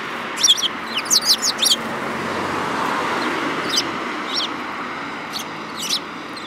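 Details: Sparrows in March 2018 give a cluster of bright, high chirps at the start, then sparse single notes over a steady broad background rumble.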